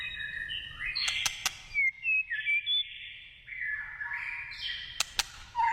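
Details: Wild white-rumped shama in forest giving clear whistled phrases: level and gently sliding notes, a few short upward flicks, and a brief high sweep at the end, with sharp clicks scattered through.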